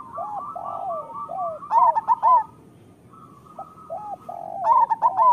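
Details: Local zebra doves, kept to train lazy or moulting doves to sing, give overlapping cooing phrases. Short bright notes near one pitch give way to bursts of quick trilled, bubbling coos around 1.7–2.5 and 4.7–5.3 seconds.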